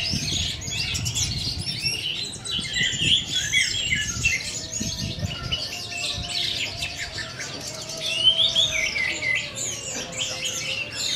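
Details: Caged orange-headed thrush in continuous teler-style song, prepared for a songbird contest: dense, rapid, varied whistles and chattering trills tumbling without pause, with a faint steady low hum underneath.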